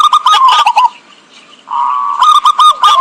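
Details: Zebra dove lure sound for trapping: a burst of fast clipped coo notes, a near-silent pause, then a sustained cooing phrase breaking into quick repeated notes.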